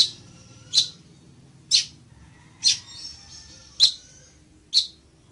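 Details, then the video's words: Village weaver giving sharp, high, clipped chip notes, each a brief burst repeated about once a second, six in all, over a quiet background. "ASI ES EL TEJEDOR Y SU HERMOSO CANTO"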